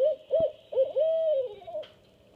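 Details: Barred owls at a nest with two-week-old owlets, female and hunting male calling back and forth. Loud low hoots, then a long drawn-out hoot that slurs downward, followed by a fading final note.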